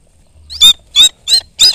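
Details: A captive falconry Rufous-bellied eagle gives four shrill, harsh notes in quick succession, about three per second, loud and high-pitched, with faint low rumble beneath.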